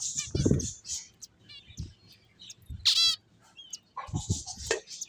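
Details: Finches at play chirp in scattered high tweets, with one loud downward-sweeping call near the middle; dull low knocks and thumps break in between the calls.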